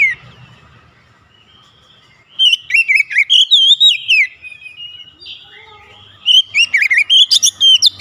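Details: Gacor singing by a raw young kacer (Oriental magpie-robin): a quiet start, then a rich warbled phrase of whistled slurs, a softer interlude, and a second busier bout mixing bright whistles with high squeaky notes.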